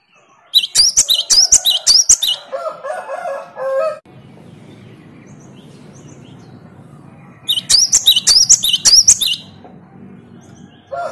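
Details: Great tit singing in reply to a lure song from another, more vocal great tit: bursts of sharp high notes repeated rapidly in rhythmic series, with a lower warbled phrase between the bursts and a quiet gap in the middle.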